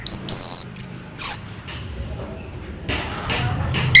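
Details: Very high, thin whistled notes from an Indonesian orange-headed thrush (anis merah): several sustained and slightly downslurred whistles, then quieter spaced clicks and short bursts of high chatter.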